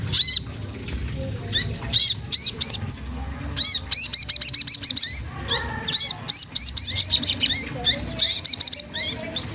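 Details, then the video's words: Sogon trotol magpie-robin in rival-provoking song: bursts of high whistled chirps, several fast repeated note runs, rising slurs and short pauses throughout. "Suara bunyi sogon trotol menggoda lawan ampuh banget untuk rangsangan bunyi"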